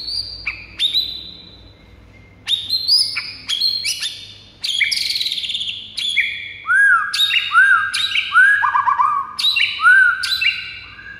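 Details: Provoking song of a white-rumped shama to set off rival birds: several bursts of high, sharp notes, then a run of repeated arched whistles with brief trills toward the end.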